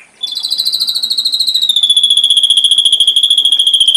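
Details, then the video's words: Ashy drongo singing as tutor material for songbirds: a rapid, buzzy trill of about 3.5 notes per second, sliding slightly downward from a high start and then holding steady. The pulses are strong and the background is quiet. "Masteran srigunting abu abu isian lengkap"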